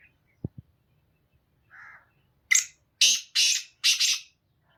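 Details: Song of a Black francolin: two dull knocks and a soft buzzy note, then four strident, scratchy bursts in quick rhythmic succession, loud and clear against silence.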